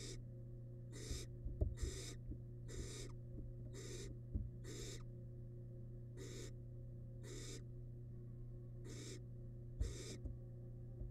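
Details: Barn owl nestling, wild, in a camera-monitored nest box during feeding on big rabbit remains; rapid series of coarse hissing snores, ten bursts in eleven seconds, with clicks, taps and a low background hum.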